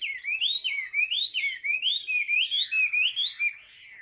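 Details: Chinese hwamei, a tamed caged bird, singing loudly: rolling, looping whistled phrases that rise and fall in quick succession for about three and a half seconds, then fade.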